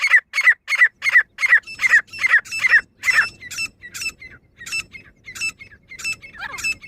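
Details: Female grey francolin (kamuju teetar) calling, a voice offered for pheasant hunting: loud, harsh squeaky notes repeated quickly, then the series grows thinner and fainter over a hiss of background noise, ending with a sliding, wavering sound.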